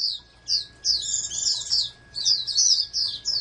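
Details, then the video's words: Oriental white-eye kept for breeding as a would-be national champion gives brief high chirps, then a fuller rapid twittering phrase with layered notes, over a faint hum. "TERNAK BURUNG PLECI CALON JUARA NASIONAL"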